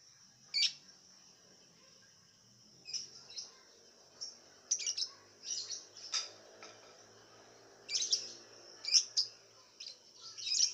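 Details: Contest lovebird from Singkawang, West Kalimantan, caged and fed white millet, sings in scattered high chattering bursts separated by quiet gaps of one to two seconds, with a constant high hiss behind.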